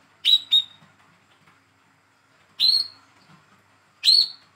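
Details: Young speckled hand-raised olive-backed sunbird, captive, calling as a lure to get a silent bird to sing: two quick sharp chirps, then two more spaced about 1.5 seconds apart, each bright and ringing with a buzzy edge.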